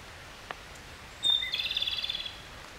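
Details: A single subsong (guzeri) phrase by a Japanese robin: a thin piercing whistle, a brief lower slide, then a quick pulsing trill that fades after nearly a second. There is a soft click before it.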